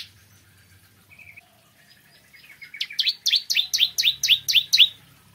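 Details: Bar-winged prinia (Ciblek Kristal) singing in the morning: quiet scattered notes build into a rapid, accelerating series of sharp, high downslurred notes, about four per second, ringing loud near the end.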